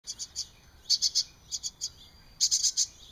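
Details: Hungry baby wrens begging, recorded 13 June 2011: bursts of high, thin, rapid chirps in clusters of two to four, loudest in a final run of four quick notes, over a quiet background.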